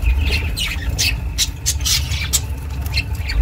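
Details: Domestic budgie chirping, recorded for solitary budgies; a quick run of bright, high chirps and squeaky notes over a heavy low background rumble.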